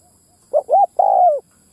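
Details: A single Spotted dove lure phrase, ground style, meant to attract males and females: two short rounded coos followed by a drawn-out coo that gently falls in pitch.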